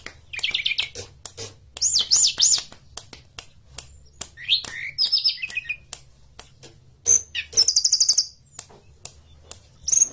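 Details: Forktail song used as a lure to set other birds singing. Very high, thin notes come in bursts: rapid zigzag trills, short sweeping chirps and a buzzy rattled phrase, separated by clicks and brief pauses.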